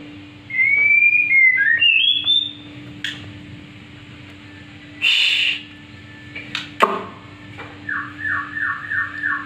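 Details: Black-winged myna practising song: a fluttering whistled phrase, a harsh burst, a sharp snap, then a quick series of five looping chirps, all over a low hum.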